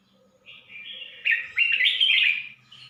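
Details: Song of a red-whiskered bulbul in Suan Phueng, Ratchaburi province, Thailand: a soft opening warble building into two loud, liquid, chattering phrases, over a faint steady low hum.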